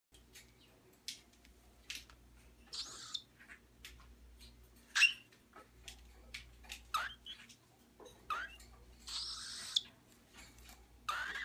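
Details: Three young pearl cockatiels, resting, give scattered soft squeaks and short raspy chirps, a few every second or two, over a faint background hum.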